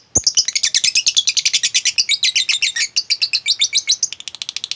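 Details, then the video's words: Lovebird chatter used to prompt a reluctant lovebird to sing: a long unbroken stream of rapid, harsh, buzzy chirps that rise and fall slightly, ending in a quicker burst of notes. "lovebirdmu loyo malas bunyi jadi gacor ngekek panjang seketika dengan pancingan ini"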